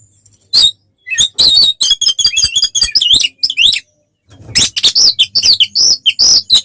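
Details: Combative oriental magpie-robin singing to rile other birds: dense bursts of scratchy, buzzy high chirps delivered rapidly, a brief silence, then another energetic volley of harsh whistles and rasps.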